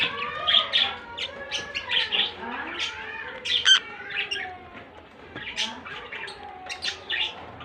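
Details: Lovebirds, a blue bird paired with a white albino, make short rising and falling whistled chirps and brief squeaks, repeated irregularly throughout.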